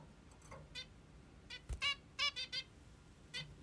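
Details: Morning calls of a plump female zebra finch kept as a pet: a cluster of nasal, trumpet-like beeps, several in quick succession, then a lone note, with faint room hum beneath.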